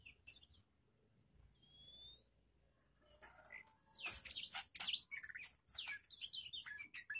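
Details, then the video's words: Young magpie-robin in a mental test with other birds: a single thin rising whistle, then from three seconds a loud torrent of scratchy chatter, sharp high notes and twittering phrases. "CARA UJI MENTAL KACER BAKALAN DENGAN BURUNG LAIN"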